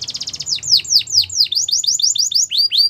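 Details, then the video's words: Canary singing a melodious song: a run of quick falling whistled sweeps, about five each second, flowing into a faster series of bright rolling upslurred notes, all high-pitched and clear. "Melodies canary bird song | Belgian canary singing"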